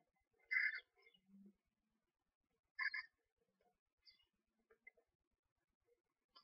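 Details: Tiny screech owl owlets, hatched from two eggs one to two days earlier, chirp as the mother feeds them in a nest box. Two loud, scratchy chirp bursts about two seconds apart, then soft scattered ticks and faint peeps.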